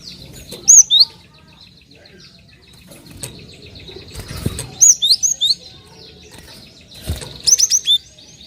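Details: Cinereous tit calls used to lure other birds into song: three separate bursts of loud high whistles, two, four and five notes each, spaced a few seconds apart over faint background chirping.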